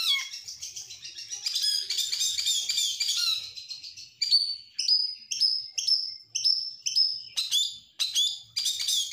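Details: Stressed oriental magpie-robin (kacer) singing a provoking song meant to trigger other birds and to tutor them at midday. It opens with a dense run of chattering, scratchy notes, then gives loud clear whistles with down-slurred tails, repeated about twice a second.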